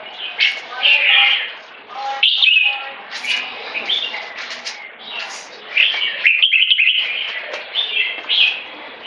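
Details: Red-whiskered bulbul in 'one stroke' song leading to 'keke': lively bursts of warbling separated by short pauses, some sharp high notes, and a fast chattering run late on.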